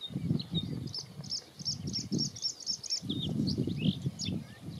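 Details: Singing male Bluethroat of subspecies cyanecula at Ezumakeeg, Friesland, the Netherlands, 14 May 2022: a quick run of about ten repeated high notes, then varied chirps and short trills, over heavy low wind rumble.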